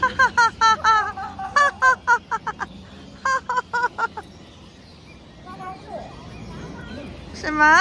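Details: Crested myna in a park imitating human speech, giving a rapid run of short, harsh, laugh-like bursts in quick succession, then a pause and a final drawn-out voice-like call, with a person's voice nearby.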